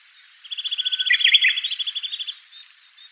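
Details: A Eurasian nuthatch at Togakushi, Japan, sings a fast, even trill of about two dozen clear, high piping notes in under two seconds with a few softer chirps mixed in; a Japanese bush warbler is also audible.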